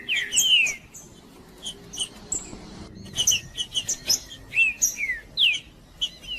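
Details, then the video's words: Male green-winged saltator singing to fire up other saltators: loud whistled notes slurring sharply downward, given in short bursts with brief pauses and a few high chips between them. "Trinca-ferro Macheando com Trinca ferro cantando Para Esquentar Trinca ferro"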